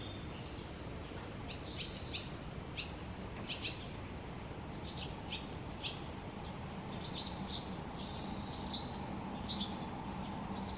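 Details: Barn swallow at the Tama River: short, bright chirps scattered across the clip, some in quick pairs and clusters, over a steady low hum of background noise.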